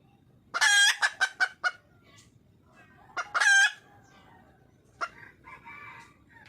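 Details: Red junglefowl hen, wild, seeking a male: a short string of fast clucks capped by a loud, grating cackle, a second lone cackle a few seconds later, then faint softer notes.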